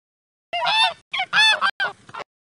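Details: Goose giving a series of harsh, nasal honks: one long call, then two quick honks close together, then two shorter ones, each with a rough, buzzy ring and no background noise.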